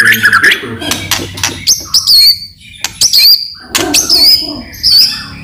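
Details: Loud, lively murai batu (white-rumped shama) song with hard chatter, played to prompt other shamas to sing: high, twisting whistled phrases alternate with sharp harsh bursts and brief lower notes.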